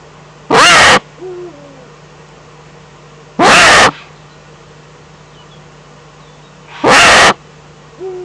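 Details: Eurasian eagle-owl in Germany's Eifel, 11 April 2014: three loud, breathy, rasping screeches about three seconds apart, each followed by a soft, low, descending tonal note.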